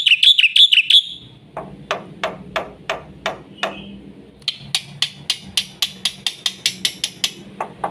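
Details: Rapid full song of a Black-winged myna intended to teach young mynas: a quick warbled high trill, then a long series of sharp, dry, clicking notes at a steady pace of roughly three per second.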